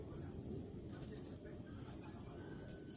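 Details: Lovebird feeding her chicks in Kerala: thin, high, wavering chirps come in short three-part bursts about once a second, half buried under loud steady low rumbling noise.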